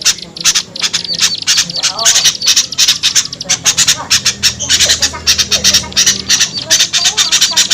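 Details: Small bird lure call meant to draw small birds down: dense, rapid bursts of sharp, high squeaky chips, packed several per second in uneven clusters throughout, with a faint low hum beneath.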